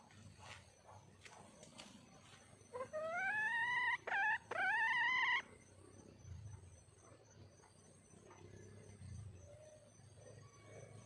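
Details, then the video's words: Wild female red junglefowl calling for a mate: three clear, tonal, rising notes of under a second each, close together, with faint ticking background noise. "le bruit d'une poule sauvage,เสียงไก่ป่าร้องหาถู่หาตัวผู้,ສຽງໄກ່ປ່າຮ້ອງຫາຄູ່ຮັກ, poj qaib qus see"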